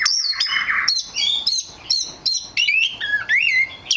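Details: Varied whistled song from a very rare black magpie robin, with a short harsh scratchy note near the start, then a lively run of clear looping whistles and chirps that shift quickly in pitch.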